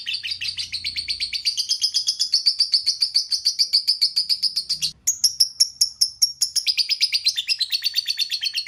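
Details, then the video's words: Lovebird pouring out a long run of sharp, clicking chirps in quick succession; after a brief break the notes resume higher and thinner before easing back down. "Love bird"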